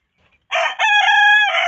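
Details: Backyard chicken giving a loud, harsh crow: a brief rough opening note, then a long sustained, strained cry.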